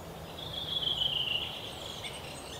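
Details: Three-toed woodpecker chicks calling from their nest hole in a Yekaterinburg forest park, Russia, on 10 June 2018, recorded on a Canon PowerShot SX60 HS; a brief high, slightly falling buzzy trill lasting about a second amid background hiss.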